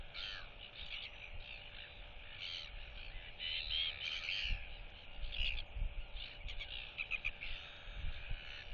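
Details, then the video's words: Young Royal albatross chick displaying and whistling at neighbouring chicks on their nests, turning its head side to side while the neighbours clack back, 8 July 2023; a run of harmonic, wavering whistled notes over low wind rumble. "Royal Albatross ~ NTF Follows SSTrig's Footsteps & Displays & Whistles to UQ & Quarry Chicks!"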